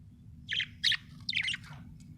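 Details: Happy budgerigar giving three quick, bright chirps in a row, sharp and slightly scratchy, over a faint low hum.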